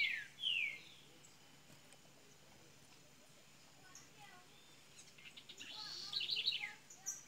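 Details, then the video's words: Double-collared seedeater from Minas Gerais, Brazil, opening its song: two quick descending slurred whistles, a long quiet gap, then soft notes building into a rapid, bright, twittering chatter before a final high note. "coleira golinha de minas gerais abrindo canto !"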